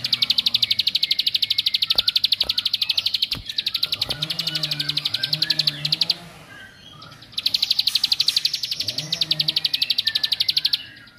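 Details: Bar-winged prinia song to stir up rival males: long fast trains of piercing ticking notes, broken once by a short pause, with a faint low wavering hum behind.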